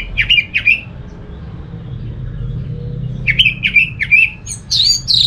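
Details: Orange-headed thrush song played to prompt any thrush to join in: a quick run of chirps, a pause, then another run of clipped notes ending in high, thin warbled phrases; faint low hum behind.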